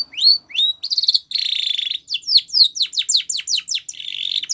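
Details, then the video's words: White Spanish Timbrado canary singing a training song for young birds: rising slurs, sustained buzzy trills, then a run of rapid falling sweeps and another trill. "White Canary Singing / Spanish Timbrado song For Training"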